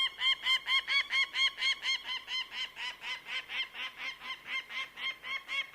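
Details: A bird of prey gives a steady run of sharp, ringing, nasal notes, about three each second and nearly twenty in all, evenly spaced and holding the same loudness throughout against a quiet background.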